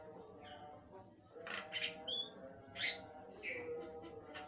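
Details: Javan myna singing vigorously: harsh broadband rasps alternate with short clear whistles, two of them slurring upward, against a steady humming tonal background.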